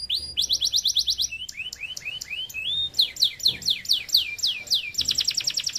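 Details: Singing canary on a training recording runs through rapid series of bright, downward-slurred whistled notes, several different note types each repeated in quick rows, with a brief rising whistle midway and a fast chattering finish.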